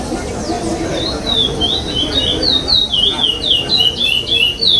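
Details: Competition song of a chestnut-bellied seed finch in the pardo style without repetition, at a 2021 state contest stage; clear whistled notes sliding downward, linked in a rapid varied chain, low background talking.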